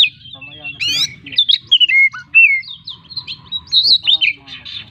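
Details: Kacer singing a varied mimicking song: a sharp rising buzz, then a string of clear slurred whistles and bright chirps in bursts, ending with loud high warbled notes.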